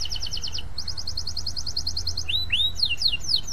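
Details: Canary in long, vigorous song intended to set other canaries singing: two runs of rapid even trilled notes, followed by loud sweeping upslurred and downslurred whistles, over faint low background noise.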